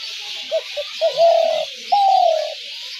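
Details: Spotted dove call played to lure doves into traps: short soft cooing notes, then two longer mellow, slightly falling coos, steady hiss in the background.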